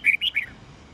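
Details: Red-whiskered bulbul morning song fragment in the 'old forest voice' style, played for training young birds: three quick, clear whistled notes, the middle one higher, within half a second.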